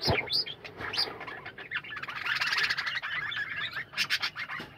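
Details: Kept budgerigars in a colony give a rich chattering chorus of rapid warbled notes that build into a dense, buzzy twitter with high squeaks.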